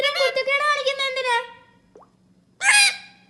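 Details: A pet parrot talking: a nasal, speech-like phrase of about one and a half seconds with wavering voiced tones, then a pause and one short harsh squawk, indoors over a faint low hum.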